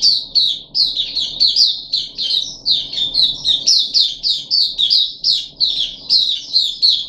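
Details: Caged puff-backed bulbul on the third day of a deworming treatment, recorded 14 July 2021: a lively stream of bright, chattering notes, each short and slurred, running almost without pause. A faint low hum sits in the background.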